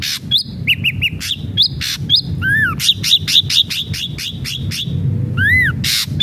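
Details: Ashy drongo in lively full song, played to stimulate a captive bird to sing: loud varied phrases of sharp chips, buzzy bursts, quick repeated metallic notes and arching whistled slurs, tumbling rapidly without pause.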